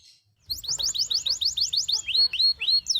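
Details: Canary singing a rapid run of identical slurred high notes, about a dozen in quick succession, then shifting to slower, louder rising whistles that end in a descending sweep.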